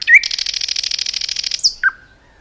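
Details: Common nightingale in a forest giving a brief whistle followed by a long, even, fast buzzing rattle of about one and a half seconds, then two short sharp notes.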